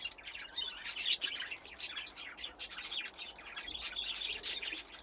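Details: Aviary budgerigars playing near nesting boxes; many birds chattering together in quick scratchy chirps and thin whistles, with brief louder bursts around the middle.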